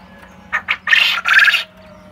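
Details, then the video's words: Black coturnix quail crowing among companions: two short clipped notes followed by two longer, rough, buzzy bursts in quick succession, with a steady low hum in the background. "Black coturnix quail crowing with it friends. Non stop crowing for 2 minutes."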